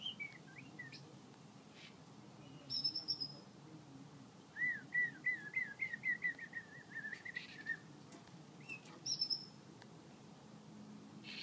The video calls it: American singer canary sings